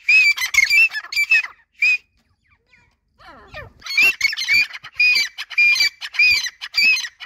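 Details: Grey francolins, two males and two females, calling at each other. Rapid harsh, ringing, up-slurred notes, a brief lull with faint rustling, then the rhythmic chorus resumes with overlapping birds.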